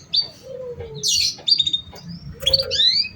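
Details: Canary lure song meant to prompt young, still-untrained canaries to sing: sharp high chirps and short whistles, a lower slurred whistle, then rising buzzy notes, over a steady low hum.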